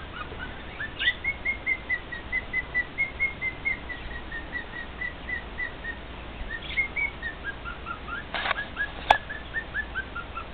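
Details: Male cockatiel singing to two other pet cockatiels: a long chain of rhythmic whistled notes rising then gently falling, broken by a brief burst of noise and a sharp click, then resuming with descending slurred whistles.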